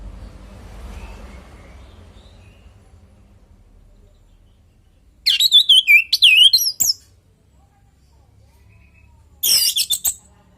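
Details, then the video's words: An orange-headed thrush sings as a lure for other birds: a quick run of descending zigzag whistles ending in a sharp note, then a second short, loud burst a few seconds later after near silence. "Pancingan burung anis merah|Agar nyaut Dan ikut ngeplong|"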